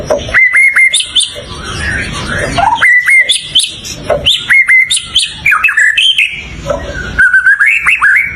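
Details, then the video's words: Singing white-rumped shama delivering repeated bursts of clear whistles, each opened by a sharp note, mixed with twittering and looping phrases, steady over eight seconds. "เสียงนกกางเขนดง ร้องดีสุดๆ"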